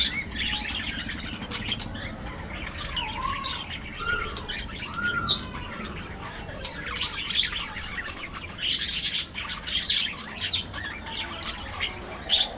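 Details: Aviary budgies feeding in the afternoon, a flock keeping up continuous warbling chatter with short slurred whistles in the middle and denser, louder bursts of chirping near the end.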